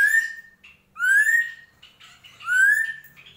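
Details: Drongo in gentolang song: three loud, pure whistles sliding upward at roughly one-second intervals, separated by short soft chirps, with a faint low hum beneath.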